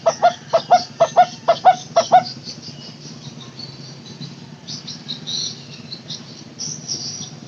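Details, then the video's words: Barbet called takur teguk teguk, recorded as a lure for barbets that have stopped calling: about nine hollow tuk notes over two seconds, then only insects buzzing and trilling. "Suara asli burung takur teguk teguk durasi panjang buat pancingan burung takur macet bunyi"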